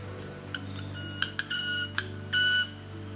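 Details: In Ecuador, a male Club-winged Manakin displays on an open branch with a female nearby, making a few sharp ticks, then a ringing, violin-like wing tone about a third of a second long, over a low steady hum.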